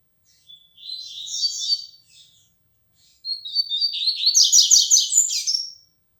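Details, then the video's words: Coleiro (Double-collared seedeater) of the 'flecha negra' type, a tournament bird starting to sing more firmly; two high buzzy phrases, the second longer and louder, with quickly repeated warbled notes rising in intensity before stopping. "Coleiro flecha negra começando cantar mais firme"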